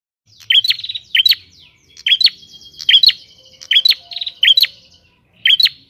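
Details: Wild prinia singing energetically in open country: sharp, high chip notes each followed by a short buzzy trill, repeated about nine times in quick succession with brief gaps.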